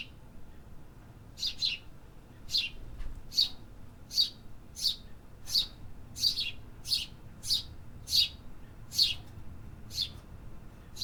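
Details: City birds singing: a steady series of bright, high chirps, several doubled, coming about every half to one second after a quiet start, over light low background noise.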